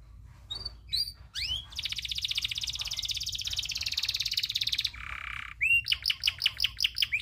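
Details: Canary tutor song of a local bird, long-rolling style: a few rising whistled notes, then a long rapid buzzy roll for three seconds, a lower trill, and finally quick repeated sweeping chips.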